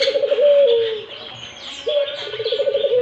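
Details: Two rolling coos from a Barbary dove, vocal and insistent, each a fast tremolo sliding into a long, slightly descending tone, with bright background twittering of other birds.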